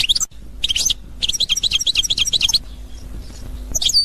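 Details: Short bursts of high, chattering goldfinch song in the authentic Constantine style, Algeria, 2021: clipped opening notes, then a run of rhythmic tinkling phrases repeated roughly every quarter second before fading to a quiet hum.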